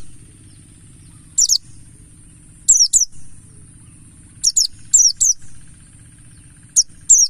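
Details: Buxtoni mountain white-eye, wild-style 'ngalas' lure song meant to set other birds singing: bright, high, downslurred notes in clusters of two or three, separated by pauses of about a second, with a faint low background hum.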